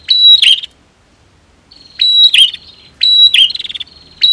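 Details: Female and male prinia singing to excite other birds into song: a sharp high trill, a pause of over a second, then two more buzzy chirping bursts close together.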